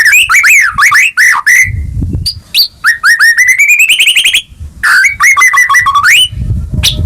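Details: White-rumped shama singing energetically, used to coax a caged bird back into song: fast sequences of looping whistles, a long rising whistled series and buzzy slurs, with occasional low rustling bursts between phrases.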